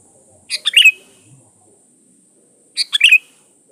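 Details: Sooty-headed bulbul in energetic song for luring other birds: two crisp phrases of fast chattering notes ending in a bright whistle, about two and a half seconds apart, with near silence between.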